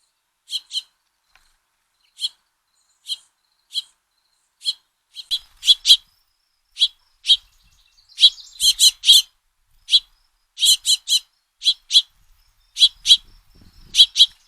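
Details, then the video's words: Recently fledged house finches begging as the male feeds them, giving harsh buzzy high chips that come singly at first and then in quicker clusters over fourteen seconds, with faint low thumps. "House Finch Calls - Father Finch Feeds Fledglings"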